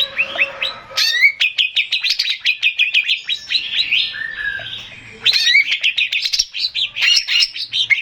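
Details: Male greater green leafbird song meant to lure birds into replying: rapid, energetic run of sharp chips and ringing whistles, several per second, pausing briefly about two-thirds through before resuming just as fast.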